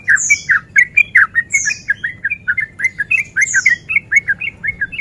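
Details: Sooty-headed bulbul, a male in breeding condition, used as a lure to provoke other bulbuls to fight, in a fast continuous 'ropel' style: dense bubbly chattering notes at about four per second, with thin high downslurred whistles every 1.5 seconds.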